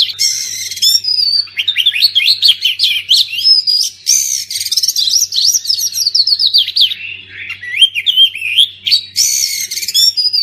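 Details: Rich, continuous song of an oriental magpie-robin, used to get silent birds singing: rapid chattering chirps mixed with clear rising whistles and harsher buzzy bursts across ten seconds, with a faint electrical hum.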